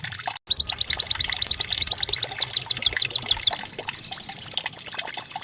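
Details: Canary-like white-eye (pleci) song used as a decoy to make birds sing: after a brief gap, a long series of sharp descending whistled strokes gives way to a fast, high, thin trill.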